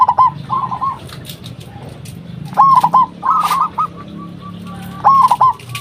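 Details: Zebra dove, a local bird used as a lure so other doves respond, gives three rolling, trilled coo phrases about every two and a half seconds over a low background hum.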